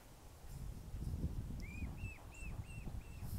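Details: A Mute Swan cygnet with its father in Plymouth, Massachusetts, on 21 June 2020 gives five thin, high, arching whistled peeps, about three per second, calling for its mother and siblings who had moved out of range; there is a steady low rumble of wind.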